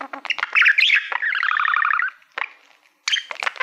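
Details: Male pet budgie singing at a reflective silver plaque: clicks and chirps lead into a long buzzy, pulsing trill lasting over a second, a short pause, then more sharp chattering notes.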